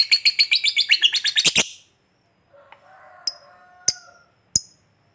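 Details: Fighter lovebird's ngekek chatter, meant to stir other lovebirds to reply: a short burst of rapid, harsh trilled notes ending after two seconds, followed by a faint low hum and three isolated sharp high chips.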